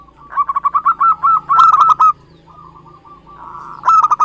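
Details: Zebra dove from Java, recorded as a trapping lure, gives a rapid string of soft, rounded coos that swell into a louder, buzzier stretch. A lull follows before a final staccato burst.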